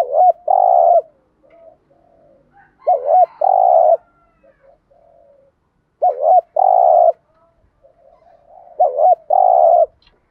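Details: Spotted dove cooing in a loud, driving style: low, hollow phrases of a quick double note then a long mellow coo, repeated about every three seconds, with soft murmurs between.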